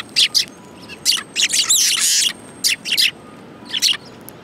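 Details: Flock of sparrows at food, Tenmangu shrine, 22 January 2018: loud, harsh chirping in tight bursts, including a longer chattering run in the middle, separated by brief pauses, with a faint steady tone in the background.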